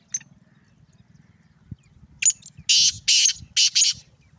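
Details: Sindhi black francolin, a male calling: a few soft chirps, then a loud harsh grating phrase of about five rasping buzzy notes in quick succession near the end, over a low rumbling background.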